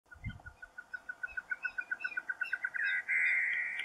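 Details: Female great antshrike song in the Caatinga, Brazil: a fast, accelerating run of hollow hooting notes ending in a harsh, buzzy snarl.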